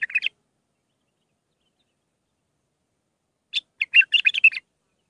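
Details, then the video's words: A bulbul's Mandalawi song, six phrases, meant for training young hybrid birds: a brief twitter at the start, a long pause, then a fast chattering run of high, scratchy notes lasting about a second. "للتخريج االمخاليف. مندلاوي ب6 لسانات طبك شدة ورد تكي حلو جيب ورد بنت الورد طياري"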